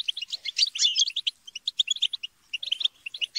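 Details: Goldfinches chattering and quarrelling as a group to encourage singing: a dense opening tangle of overlapping twitters, then sparser clipped chirps with short gaps.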